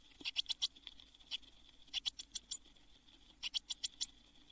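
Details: Nest box blue tit chicks near fledging, June 2022; a few brief clusters of faint, high, clipped chirps with quiet spells between, over a steady background hum.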